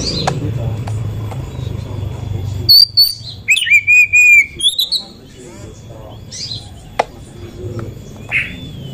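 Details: Oriental magpie-robin lure song, reportedly a female's, meant to raise males' excitement: after background hum, a two-second run of bright whistled and rattling notes, then scattered soft chirps.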